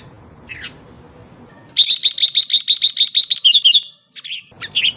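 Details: Red-whiskered bulbul female calling ché to stir males: after a faint note and quiet, a rapid burst of a dozen high, evenly spaced chips ending in a trill, followed by two short slurred notes.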